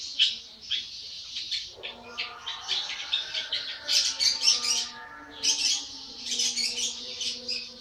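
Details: Young long-tailed shrike aged 80 days delivering a busy, scratchy song of dense rasping notes and chatters in rapid bursts, rising to louder rattling sequences toward the middle and end.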